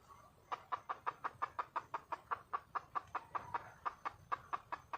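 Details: Red junglefowl hen in the wild calling for a male: after a brief soft note, a long even train of about twenty sharp clucks, roughly four per second, over quiet background.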